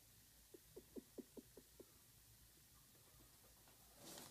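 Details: A courting chukar partridge gives a quick run of seven low, clucking notes, about five per second, then falls quiet; a brief rustle follows near the end.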